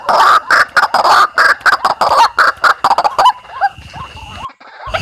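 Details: White-breasted waterhen lure call from Indonesia: a rapid series of harsh, nasal croaks that ends abruptly, followed by softer scattered chirps and a faint steady tone.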